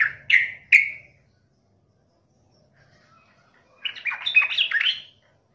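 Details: Yellow-vented bulbul in lively gacor song, meant to provoke other bulbuls into answering angrily: three loud, sharp ringing notes, a pause of near silence, then a burst of bubbly, jumbled chattering phrases.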